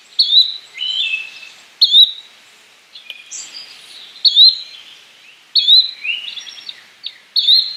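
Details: Yellow-bellied flycatcher repeating a clear, rising whistled note roughly every one to two seconds, six times in all, with lower slurred notes and scattered chirps from other birds between the calls.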